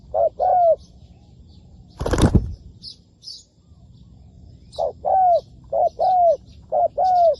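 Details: Spotted dove used as a decoy in bird trapping: paired low, hollow coos, then a loud burst of wing flapping, a quiet spell, and the coo pairs returning about once a second with faint high chirps of other birds.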